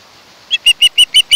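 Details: Osprey calling at a camera-watched nest on Kent Island, Maryland, 1 August 2018: a soft rising note followed by five loud, sharp whistled chirps in quick, steady succession.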